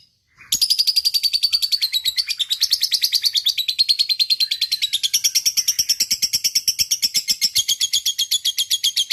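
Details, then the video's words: Fighting-mood single fighter lovebird in an extended ngekek panjang: after a brief pause, a loud, unbroken stream of fast, shrill, buzzy notes runs for over eight seconds, the pitch wavering slightly up and down. "Love Bird Ngekek Panjang"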